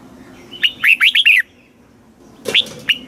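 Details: Red-whiskered bulbul in a cage, Thailand, southern master-song style used to stimulate birds and tutor chicks: one rapid phrase of five rich, rising-falling whistled notes, a short pause, then the next phrase begins.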